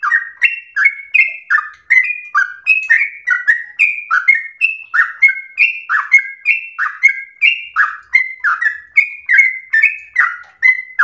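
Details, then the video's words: Rapid non-stop song of a sooty-headed bulbul, the gacor ropel slow style meant for tutoring caged birds: bright whistled notes each followed by a lower falling slur, nearly three phrases per second, no other sounds. "trucukan SUPER GACOR ROPEL SLOW terbaik untuk masteran trucuk rumahan"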